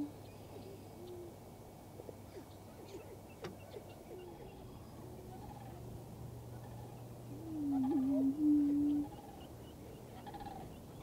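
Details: Prairie chickens displaying on a lek in western Minnesota on April 11, 2024, giving low, hollow, hooting moans in a faint chorus, one loud two-part moan near the end, over a steady low hum; snipe and sandhill cranes in background.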